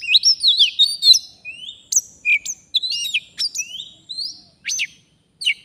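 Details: Wild Oriental magpie-robin from forest, answering a fighter decoy during trapping, sings twisting whistled phrases and quick rising notes, then sparser sharp chirps toward the end.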